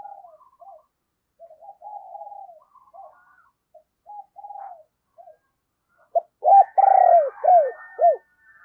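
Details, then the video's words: Spotted dove decoy used to lure wild doves, soft broken cooing for six seconds, then a loud burst of four or five arched, falling coos with faint higher notes above. "Tiếng Chim Cu Mồi Thúc Và Gáy Gọi Bổi, Mở Lên Bổi Gáy Theo Và Nhanh Nổi"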